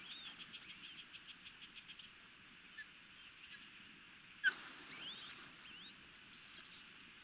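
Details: Osprey chicks of a nesting pair near the Chesapeake Bay in Maryland, during a feeding: faint, high, wavering whistled calls in quick series, a sharp click midway, then more thin rising and falling whistles over steady background hiss.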